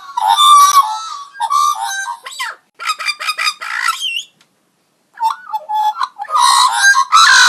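A magpie runs through odd, robotic-sounding phrases: warbling tones, clicks, buzzy bursts and a sliding whistle, broken by brief pauses.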